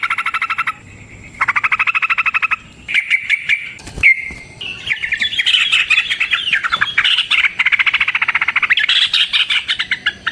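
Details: Trucukan, or yellow-vented bulbul, in energetic 'ropel panjang' challenge song used as a training lure: fast buzzy repeated trills, then a dense, jumbled stretch of overlapping chirps and whistles that grows busier toward the end.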